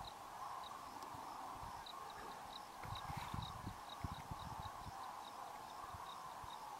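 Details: Huge flock of Common Cranes leaving for roosting sites in the evening, Great Rann of Kutch, January 2013; distant, even chorus of massed trumpeting, with a few soft low thumps in the middle.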